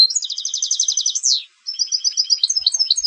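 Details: European goldfinch singing in competition style: a rapid run of high tinkling notes ends in a downward buzzy sweep, then a short pause and more varied, jangling twittered phrases.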